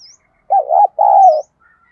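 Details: Spotted dove used as a decoy to bring in doves, giving two loud hoarse coos, the second longer and level, while a faint high twitter is heard at the edges.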